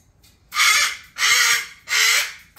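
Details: Pet cockatoo refusing bedtime, throwing a nighttime tantrum indoors; three loud raspy screams in under three seconds, each about half a second long, with a fourth starting at the end.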